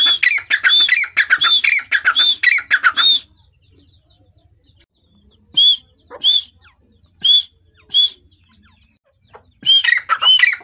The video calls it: dakhni teetar ki awaaz grey francolin voice